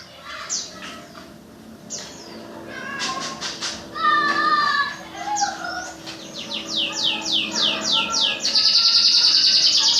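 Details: Songbirds in a singing duel as training for local and national contests: several birds chatter together, with rapid runs of high downslurred notes and a dense, shrill, sustained phrase at the end.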